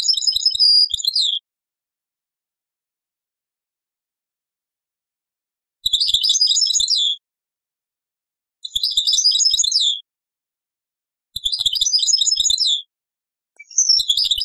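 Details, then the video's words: European goldfinch song of the Taqsrayn style, copied from an old cassette: five separate bursts of high, fast twittering, each about a second long, with long silent gaps between them. "تغريد تقصراين من كاسيت قديم"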